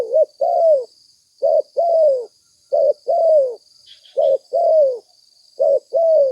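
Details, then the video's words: Repeated cooing of a spotted dove, played to lure birds: six two-note phrases, a clipped coo then a longer descending croo, evenly spaced, with brief faint chirps and a steady high hum behind. "Suara tekukur pikat mp3 gacor"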